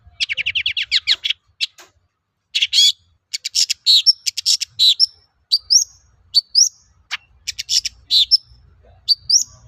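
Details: A Long-tailed shrike sings persistently, its song serving as a lure to prompt other shrikes to sing. It opens with a rapid chattering trill, then mixes harsh bursts, quick chips and repeated short upward-flicked whistles, lively and nearly unbroken.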